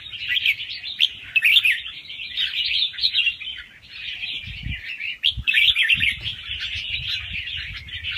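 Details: Rapid song of a young wild red-whiskered bulbul, with doubled phrases, for playback to make other birds lively; bright chattering warbles pour out continuously, with a few low bumps around five seconds.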